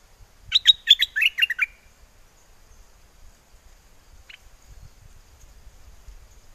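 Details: Cage bulbul from Chana, Songkhla, southern Thailand, performing wild forest-style song to call a mate in a windy season. A rapid, bright phrase of about six bubbly descending notes, then one short chirp amid quiet.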